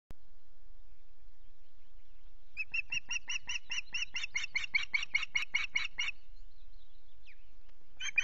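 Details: Ospreys at the RSPB Loch Garten nest on a misty morning, the ringed male having fished well; after two quiet seconds, a fast run of sharp, clipped whistled chirps repeats about twice a second, then a brief pause and renewed notes.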